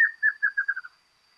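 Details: Rufous-capped Antshrike, Argentina: tail of its song, a string of short whistled notes running faster and gently lower in pitch before fading out, followed by silence.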